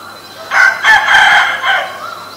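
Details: Asian koel, male and female, calling loudly. Harsh, emphatic notes burst out after half a second of quiet and repeat in a tight series for about a second. A fainter rising whistle follows near the end.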